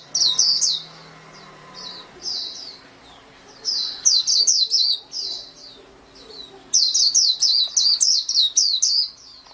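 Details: A pleci, or white-eye, delivers high chattering song in three clusters separated by brief gaps, each cluster a fast run of sharp, twittering notes, with soft background murmur.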